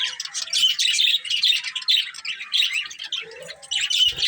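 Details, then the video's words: Colourful budgerigars chirping: continuous bright twittering with squeaky warbled notes throughout, one lower short trill near the end, and a soft thump at the close. "Colourful Budgies Chirping Sounds"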